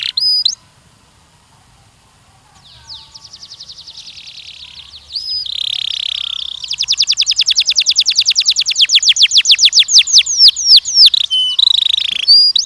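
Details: Canary song used to train young males and females for mating. Brief notes open it, then a quiet pause and a soft rising trill. Louder buzzy phrases and a long run of fast, sharply repeated down-slurred notes follow, all high-pitched and clean.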